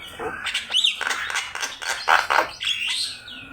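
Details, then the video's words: Javan myna, known locally as jalak kebo, in a master recording used to train cage birds to sing: a varied, energetic string of harsh chattering bursts, whistled upward slurs and buzzy notes packed into a few seconds. "Suara jalak kebo gacor"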